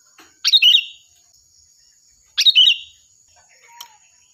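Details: Loud, shrill sooty-headed bulbul singing actively, a recording used to tutor other songbirds: two quick bubbly, slurred whistled phrases two seconds apart, then faint scattered chirps and a constant high whine.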